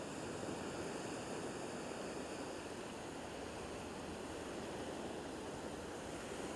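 Continuous broadband surf and wave wash on a shoreline, with no bird or other animal calls standing out.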